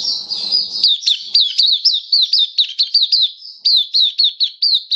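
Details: Oriental white-eye, a caged mata puteh, singing buka sing style on 27 October 2022: a steady chain of high, sharply down-slurred chirps, several per second, clear and loud, with brief low rumble only at the start.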